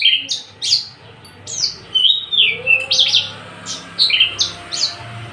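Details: A tame, unringed male Javan bush lark sings a lively, varied run of high chirps, slurred whistles and quick trills, repeated in rapid bursts with barely a pause.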